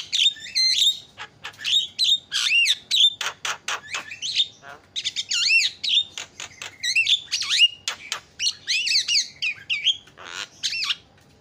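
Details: Noisy Javan myna calling used to make other birds cry out: a long, dense stream of looping whistles, clicks and sharp chattering notes, with barely a pause throughout.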